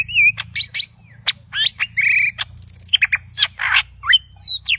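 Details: Aggressive, richly varied green leafbird song: whistled slurs, sharp chips, a quick run of clicking notes and buzzy bursts tumble together with barely a pause, over a faint low hum.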